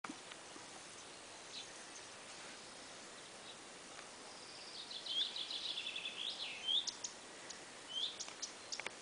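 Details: Common redstart recorded undisturbed from a distance through a telescope, behaving naturally, giving a few thin, high whistled notes and short twittering sweeps in the second half, over a steady hiss of background noise.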